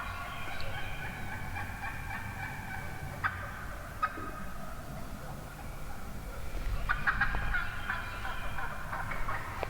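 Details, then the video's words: Hen wild turkeys in a huge morning flock, recorded from within the flock: irregular clucks and yelps from many birds overlap, with sharp clicks and a louder burst of calling near the end. "REAL Hen Turkey Vocalizations"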